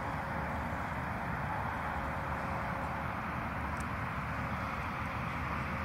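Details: Continuous low rumble of distant traffic with one brief click, and no animal voices.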